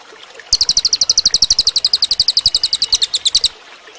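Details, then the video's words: Cililin bird song for training other birds: a three-second burst of high, sharp, rapidly repeated chips at roughly four per second, clear over quiet surroundings. "suara burung cililin bagus buat masteran"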